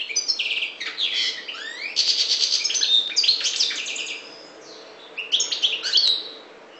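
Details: North African goldfinch, subspecies parva, delivering a fast jumble of tinkling chirps and rising slurs, a buzzy trill near two seconds, a brief pause, then a final burst of twitters.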